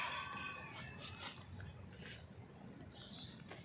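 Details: Female hen crowing, apparently in a cage setting: a harsh, harmonic-rich drawn-out call in the opening second, then quieter clucks amid steady low background noise and some speech.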